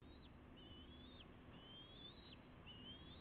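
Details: Bald eagles at a nest on a live nest camera: juveniles close to fledging with both parents, May 29 2016. Thin, high whistled notes rise, then drop sharply at the end, repeated about every second over a low rumbling background.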